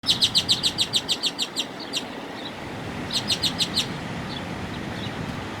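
A bird gives a fast run of about a dozen sharp, high chips, then a shorter burst of six more, over a low rumble of distant traffic.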